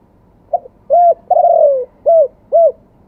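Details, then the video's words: Spotted dove singing in the wild-voice, two-kuk style: a soft short note, a mellow coo, a long descending hoarse coo, then two clear coos, all low and hollow. "ขันสด เสียงป่า 2 กุก"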